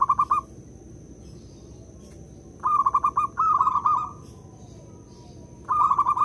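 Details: Local zebra dove cooing as a lure: a short bubbling coo, a gap, then two rolling trilled phrases in quick succession and another at the end, over a faint continuous high whine and low hum.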